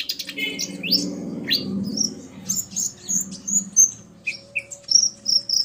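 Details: Common iora male and female answering each other, the male excited by her call: rising whistled slurs and sharp chirps over a low rumbling background noise.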